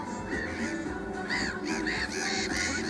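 Mediterranean gulls give nasal, arching 'kyaow' calls, several in quick succession and overlapping, over a steady background hiss.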